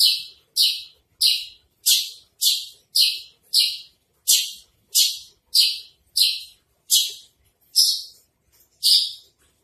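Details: Tutor recording of a Javan bush lark ('branjangan trotol'): loud, raspy, hissing high notes repeated at an even pace of roughly one and a half per second, each short and sharply attacked, over near silence.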